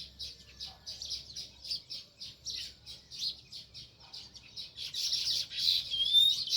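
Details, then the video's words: A sparrow by its nest in a village chirps in quick, fairly steady high notes, roughly two or three per second, swelling louder in the last two seconds, with a quiet low background hum. "Natural Sparrow View | Chirping Sounds"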